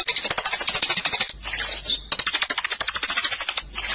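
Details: Sparrow lure call: dense, rapid high chirps repeated about three times a second in fast bursts, with two brief pauses, no other sounds clear.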